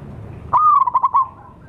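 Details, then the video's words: Wild local zebra dove, lure sound: one loud phrase that starts with a sharp rising note, holds a level coo, then breaks into a few stuttering pulses before fading. "suara pancingan dan pikat burung perkutut liar lokal paling ampuh"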